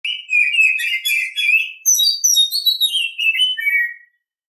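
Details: Oriental Magpie-Robin singing in the morning: a loud, continuous run of sweet whistled and warbled phrases, low rich notes first, then higher bright whistles sliding down in pitch toward the end.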